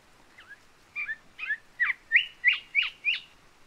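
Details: Island whistler of small wooded islands delivering a jumbled whistled phrase: soft opening notes, then eight stronger downslurred whistles that grow louder and more even, against a faint background hiss.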